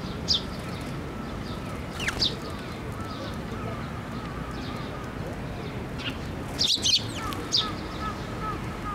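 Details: At Tenmangu shrine on 12 May 2024, sparrows fly to a post for food. Sparse sharp chirps with a cluster near the end, over a steady mid-pitched tone and low background rumble.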